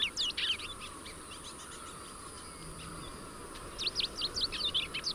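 A rusty-collared seedeater sings two quick bursts of high, varied, twittering notes with a pause between them, over a steady faint high hiss, likely from insects.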